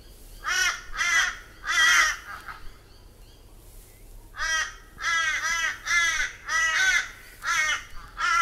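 A crow gives harsh, nasal caws, a first run of three then a longer burst of about five, each rough and slightly downslurred, over faint low hum.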